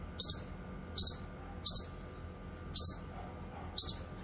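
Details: Cucak kinoy calling for use as a lure: five sharp doubled high chirps, spaced under a second apart, over a faint steady hum.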